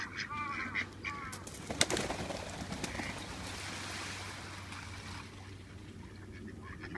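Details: Two male mallards (or hybrid ducks) squabbling: a quick run of short, nasal, harmonic calls in the first second, then rough splashing and broadband noise over a steady low hum.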